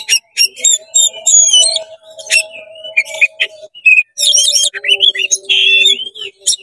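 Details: Oriental magpie-robin singing fast and full with its tail spread, meant to rouse and provoke other magpie-robins: a rich run of high whistles, sharp chips and buzzy trills in quick varied phrases, over a faint steady low hum.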